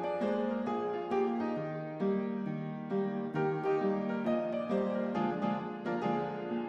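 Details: Gentle keyboard music with plucked, piano-like notes in a steady melodic pattern, with no animal voice.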